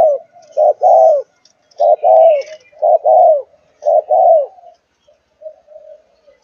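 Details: Malaysian-line spotted dove aged four months, thúc gù cooing style. Four evenly spaced phrases, each a short low note followed by a longer rolling coo, repeat about once a second before fading into soft murmurs.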